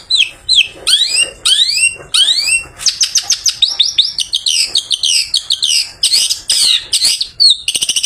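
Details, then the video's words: Freshly bathed long-tailed shrike, sung in the afternoon as a lure for other shrikes: repeated sweeping upward-slurred whistles give way to rapid chattering phrases of sharp high notes and clipped squeaks, loud and continuous. "Burung Pented Habis Mandi Bikin Seger || Cocok Buat Pancingan Pented Sore Hari"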